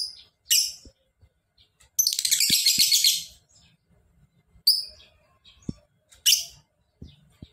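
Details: Lovebird with sharp high chirps before and after a sustained ngekek trill of rapid chattering notes lasting over a second; soft clicks in the background.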